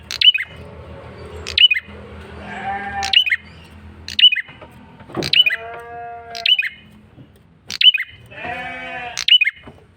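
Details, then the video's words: Lure call of a male bar-winged prinia, energetic and insistent: a steady series of sharp twanging chirps about every one and a half seconds, with bleat-like harmonic notes in several gaps. "Suara PIKAT prenjak kepala merah jantan GACOR NGOTOT"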